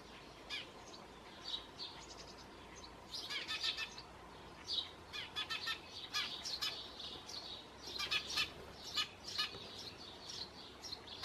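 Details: Eurasian tree sparrow chick being fed at a nest box on a terrace, begging with bursts of high, harsh, rapid chirps rising in excited clusters as food arrives; several chicks in the box, over a soft background hiss.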